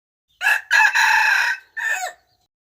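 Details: Domestic rooster crowing, recorded from a bird its owner says crows very well, kept as a decoy call for luring: a harsh, harmonic multi-part crow of four segments, a short opening note, a long sustained middle and a falling final syllable, then silence.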